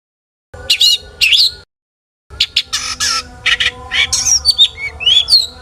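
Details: Long-tailed shrike song aimed at provoking other shrikes: two buzzy whistled bursts, a pause, then a rapid mix of harsh rasps and rising and falling slurred whistles, with a faint low hum beneath.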